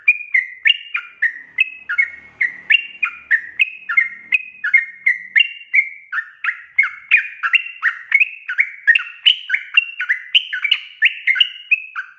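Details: Lively gacor singing of Sooty-headed bulbul, meant as a lure so untrained birds start singing: an unbroken chatter of bright, bubbly whistled notes, each dipping or climbing, tumbling over one another at roughly three per second.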